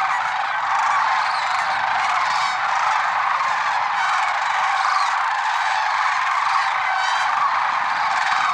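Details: Lesser sandhill cranes at Merced National Wildlife Refuge, early morning, February 6, 2023: a dense, unbroken chorus of many overlapping rolling, trumpeting calls from a large flock, steady in loudness throughout.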